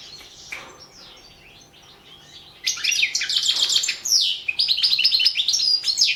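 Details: European goldfinch competition song recorded for the 2017 world goldfinch song championship: soft scattered notes, then a dense, rapid run of high twittering, buzzy trills and sharp chirps that continues to the end.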